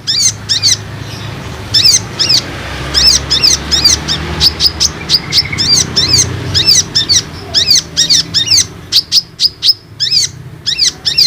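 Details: Olive-backed sunbird lure calls aimed at untrained and flock-kept sunbirds: thin, high chipping notes repeated steadily in pairs and short runs, with a faint low hum beneath.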